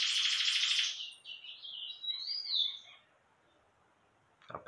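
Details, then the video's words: Ultramarine grosbeak (azulão) in the Meia-noite song style: one loud buzzy, chattering burst, then softer slurred whistles and a rising-falling note that fade out, ending with a short noisy thump. "Azulão Meia-noite"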